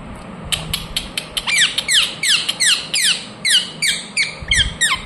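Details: Rapid, continuous series of about fifteen harsh, descending screeches from a rose-ringed parakeet, nearly three per second, loud and piercing throughout.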